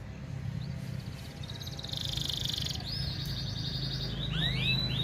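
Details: A lively, persistent canary, used as a tutor song for young canaries and to bring females into breeding condition, sings a fast, rattling high trill, then a few bright rising and falling whistled notes over a steady low hum.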